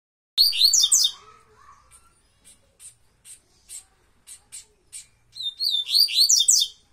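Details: Double-collared seedeater (coleiro baiano) singing the tuituí song style: bright, fast twittering phrases with high slurred notes open and close the stretch, separated by a series of short, evenly spaced high chips.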